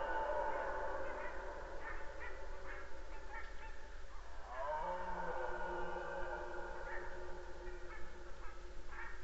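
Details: Many geese flying over a red deer camera site in Estonia on 29 September 2015, giving overlapping honking calls that build into a continuous, layered chorus with a low background hum.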